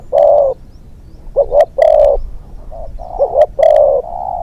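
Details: A young spotted dove on its second training outing as a hunting decoy gives loud, mellow coos, a long note followed by short hooked notes and further steady hoots, repeated in a rolling phrase.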